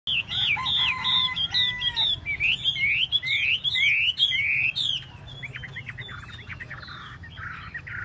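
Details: Chinese hwamei singing while tail-dancing, a loud string of varied whistled phrases, many swooping between rising and falling notes, that softens after five seconds into thinner, scattered notes.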